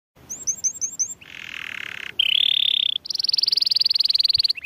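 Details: Canary song: short bursts of high looping whistled notes, then a long low buzzy trill, a steady rising whistled tour, and a fast high rolling trill sustained nearly two seconds.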